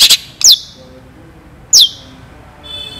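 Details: Long-tailed shrike in full-varied song used as masteran tutor recording, with sharp shot-like notes: a brief buzzy burst, then two piercing high notes sweeping downward, and a faint thin tone at the end.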